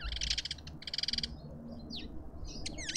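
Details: Lovebirds at a feeder in a Pretoria suburban garden, South Africa. Fast buzzy rattling pulses, then a few short, steeply sliding squeaks and thin chirps, all in quick succession.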